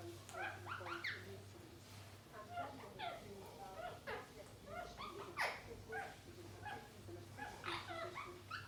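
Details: Indian ringneck parrots playing together trade scattered chirps and short squawks, including one sharp downward-swept note midway, over a persistent low hum.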